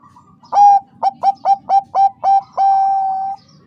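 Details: Female Bangkok-type zebra dove (perkutut) calling a male to stir his breeding urge: seven short, clipped, mid-pitched coos in quick succession, then one long steady drawn-out coo, in a quiet background.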